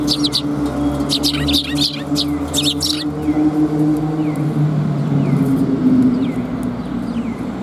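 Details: Sparrows coming to be fed in front of a civic hall, recorded 23 November 2021; a burst of loud, dense chirping in the first three seconds, then sparse short falling chirps over a steady low hum and traffic-like rumble.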